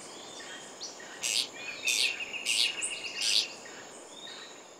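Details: Masked Tityra in the Peruvian Amazon gives four short, harsh, buzzy notes about two-thirds of a second apart, over a steady high insect drone.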